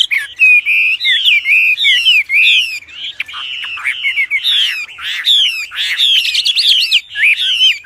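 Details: Loud, hard Wambi song used as a master song for training birds: a continuous stream of high, twisting whistled phrases with rapid rising and falling slurs, barely pausing over eight seconds.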